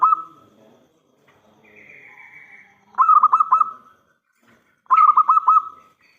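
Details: Local zebra dove with a loud voice, singing as a lure for other doves: two bubbling coo phrases of quick, even, rolled notes about two seconds apart, after a soft, drawn-out whistle-like tone.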